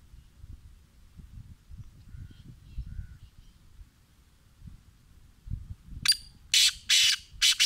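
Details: Black francolin giving a loud call: four harsh, scratchy, broadband bursts in a rapid, slightly uneven series, preceded by several seconds of low background rumble.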